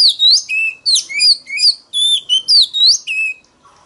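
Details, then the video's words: Loud competitive song of an Oriental magpie-robin used as a lure to provoke rival males: varied clear whistles, upslurred and downslurred, interleaved with short high chirps in a quick unbroken run. "File choè than mồi kích bổi đấu GIỌNG CỰC TO || Gọi choè than SIÊU NHẬY"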